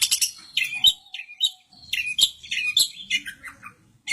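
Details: Caged long-tailed shrike from Samarinda singing vigorously: a rapid, varied jumble of high, sharp chirps, trills and short whistles in quick bursts, with faint people's voices low in the background.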